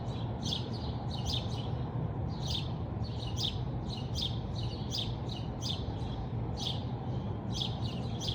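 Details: Birds heard in the morning at a house in Bridgeland, Calgary, Alberta, Canada; many quick high chirps and twittering notes throughout, steady over loud low-pitched background rumble.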